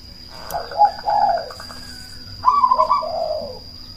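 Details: A cemani zebra dove used as a calling lure to provoke answering doves and arouse breeding drive gives two somewhat soft, rolling, trilled coo phrases against background hiss and a steady thin whine.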